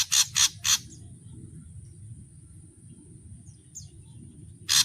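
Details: Ashy drongo in a song of full variations. Three loud harsh, buzzy bursts come in quick succession at the start, then a quiet gap with a faint high note. Another harsh burst comes at the end over a steady low rumble.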